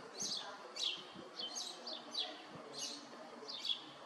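A Eurasian tree sparrow gives short, bright chirps, about six or seven in four seconds at an uneven pace, over a faint low background hiss.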